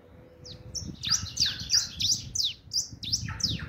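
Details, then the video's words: Pet bird singing indoors: a rapid series of high, sharp, downward-sweeping chirps, about three per second, over a low background hum. "bichi cantando!"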